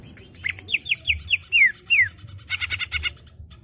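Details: Greater green leafbird, a captive bird, in rolling ngerol song meant for training young birds: clear downward-slurred whistles in quick succession, two longer falling notes, then a fast dry chattering run.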